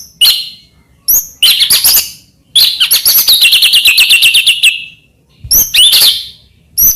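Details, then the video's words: White-rumped shama song used as a master song to stimulate other shamas: loud, fast series of sharp rising chirps and rapid trills, a long even rattling phrase in the middle, bursts separated by short pauses. "burung murai cocok untuk masteran gacor isian banyak"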